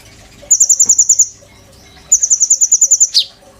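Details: Caged oriental magpie-robin tutoring white-rumped shamas: two even series of about eight thin, very high pulsed notes, each lasting under a second, the second ending in a sharp down-slurred chip.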